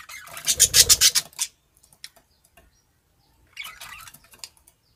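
A young budgerigar gives a rapid burst of harsh, scratchy chirps, then a softer raspy chatter.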